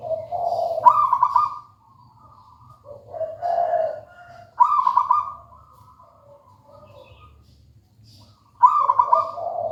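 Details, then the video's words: Local wild zebra dove (perkutut) in full song, three phrases about four seconds apart, each a burred, trilled coo starting high then dropping lower, with brief pauses of near silence between; soft low hum underneath. "Suara merdu perkutut lokal alam gacor"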